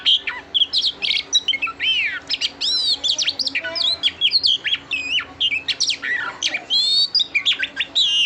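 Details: Continuous, busy chirping and whistling by a female oriental magpie-robin calling to stimulate the male: rapid varied notes, many sweeping steeply up and down, with almost no pauses.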